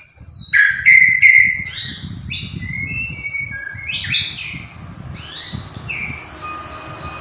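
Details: Murai batu, the white-rumped shama, singing over constant low background noise: stuttered high notes, steady whistles, varied slurred phrases and a closing series of repeated short whistles.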